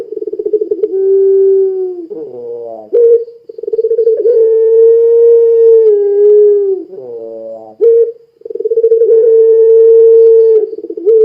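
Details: Puter pelung dove cooing repeatedly to get other doves to join in. Long, smooth, level coos, each over a second long, broken by short rough harmonic notes and brief pulsed stutters, with little background noise.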